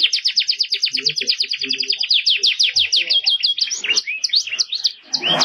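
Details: Ornate 'cengkok mewah' canary song used as a training recording: a quick run of repeated downslurred chirps, then wider rising and falling whistles with a slight rasp at the end.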